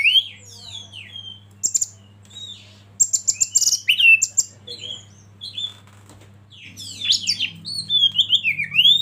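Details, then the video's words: Oriental magpie-robin song for training caged birds, mixed with river flow and wild bird sound: scattered whistles, then clusters of sharp clicking chips, a pause, and lively warbled phrases closing the passage. "Masteran Kacer Eksklusif"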